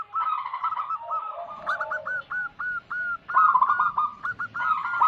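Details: Local wild-born zebra dove singing as a trapping lure: bursts of bubbling trilled coos alternating with spaced, clipped hooked notes, several overlapping phrases.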